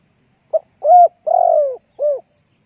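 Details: Spotted dove song used as a decoy to attract doves: a clipped opening note followed by three soft, hollow coos, the middle one longest and sliding downward, over a quiet background.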